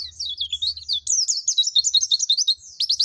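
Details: Pacitan Dakun white-eye singing nembak with mantenan and zipper witwit: a continuous high warbling ribbon of fast chirps, ending in a few sharp rising notes, low hum faintly beneath.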